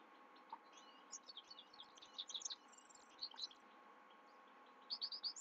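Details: Night-time song of a Himalayan goldfinch: lively high-pitched twittering in loose bursts, with a pause and then a quick run of sharp chirps, against a constant faint background hum.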